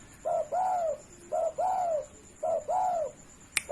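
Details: Spotted dove, tame and free of any cage, calling steadily for use as a master recording: three paired phrases, each a short clipped coo then a longer smooth arched coo, roughly one pair per second, ending with a sharp click.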